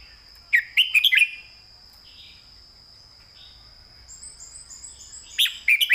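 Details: Clear southern-style master song of a caged red-whiskered bulbul for training: a loud rapid whistled phrase at the start and another at the end, faint soft warbles between, a constant high whine and faint high chirps in the background.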